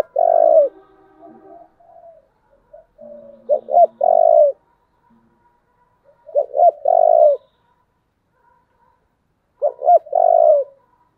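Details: Spotted dove with a very tense, strong local-style coo, a model for training decoy birds: three phrases of stuttered short notes ending in a long low hoarse coo, spaced about three seconds apart.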